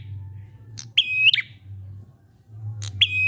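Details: Prinia sound played so other prinias start singing: click followed by a level high whistle and a brief dropping end, repeated once more as the second phrase begins, low rumbling hum throughout.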